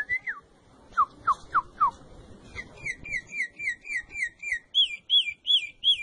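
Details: Natural troupial song used to train a captive bird that does not yet sing. It opens with four sharply falling whistled notes, then rolls into repeated two-part whistled phrases that rise higher toward the end, about three per second, over a faint background hiss.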